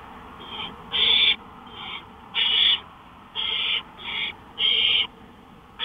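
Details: Owl calling from a porch at night, 1:53 AM, May 5, 2013: rasping hissed notes alternating between louder, longer bursts and softer, shorter ones, about eight in under six seconds.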